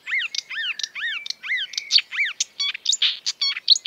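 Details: Exuberant marsh warbler singing, a species that mimics European and African birds: quick varied phrases of clear downslurred whistles repeated in a row, then a jumble of buzzy and chattering notes.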